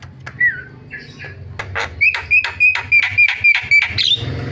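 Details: Starling (jalak) lure recording used to make quiet starlings call: a few harsh notes, then a sharp clear whistle repeated about four times a second alongside rasping bursts.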